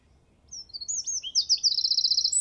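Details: A male wren (Troglodytes troglodytes) marking territory sings high, sharp notes speeding into a rapid, ringing, very sonorous trill of about a dozen quick pulses, with faint background noise.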